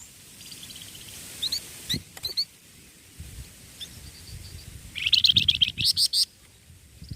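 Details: Young songbird kept as a song tutor, singing: a few scattered high chirps early on, then a rapid burst of bright, sharp notes repeated in quick succession near the end, with faint low background rumble.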